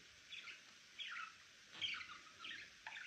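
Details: Quiet, buzzy warbled chirps from a pet male budgerigar, four short phrases about every half second over a low hiss.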